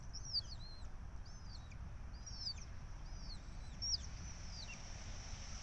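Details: Red-tailed hawks feeding at the Syracuse University nest, 12 May 2024, filmed by nest camera: a series of high, thin, squeaky calls that rise then fall, repeated about every second, over a low steady rumble.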